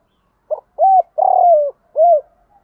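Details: Training-lure cooing of a spotted dove for teaching decoy birds to coo: a brief lead note followed by two hollow hoots, a drawn-out burred descending coo and one closing hoot, with no other sounds.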